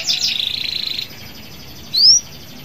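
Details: Local canary singing to encourage other canaries to join in. A second of rapid buzzy trilling is followed by a pause and one loud, clear, rising whistle.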